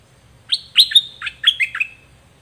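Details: Dok taeng bird song from a 2020 recording made for young birds to copy: a quick run of bright chirped notes sliding down from high whistles into a trailing thin whistle, about a second and a half long.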